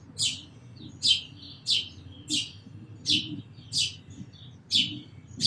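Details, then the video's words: Quick, bright sparrow chirps, about eight in five seconds, each a short high burst with a slight trailing note. "Very Beautiful Birds & Sparrows Sounds"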